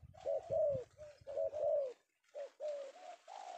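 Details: A zebra dove, newly caught in the afternoon, gives soft, rolling coos in short mellow bursts, about one a second, with a brief pause midway.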